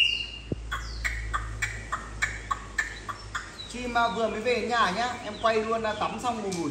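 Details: Large, old wild-caught, tame Chinese hwamei singing indoors in the evening on a rainy day, filmed after a bath, having lost tail feathers in transport: a quick run of sharp, clear notes, then a rich warbling phrase, a man talking over it.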